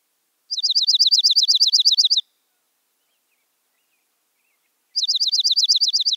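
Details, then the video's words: Dark-eyed junco chatter: two rapid trills of crisp downslurred high chips, each repeated about ten times per second, separated by several seconds of silence. "How does Black eyed Junco sound? | Bird Call | Chatter Sounds"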